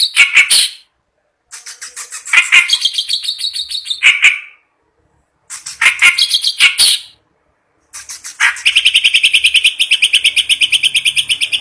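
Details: A kept clamorous reed warbler singing frantically, day and night: several bursts of harsh, creaky chatter split by short silences, ending in a long, fast, even rattle of repeated grating notes.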